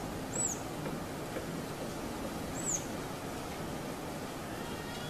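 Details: Female purple-rumped sunbird (Leptocoma zeylonica) bathing at a bird bath on a hot summer day gives two thin, very high chips about two seconds apart, over steady low outdoor rumble and hiss.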